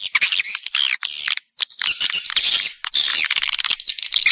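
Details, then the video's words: Swiftlet lure sound for bird-nest farming: bursts of shrill, squeaky twittering with sliding high notes, separated by short silent gaps. "ÂM THANH CHIM YẾN"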